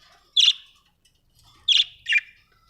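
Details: Budgerigar said to be happy, chirping: three sharp, loud chirps centred high in pitch, the first alone, then a close pair about a second later, with quiet gaps between.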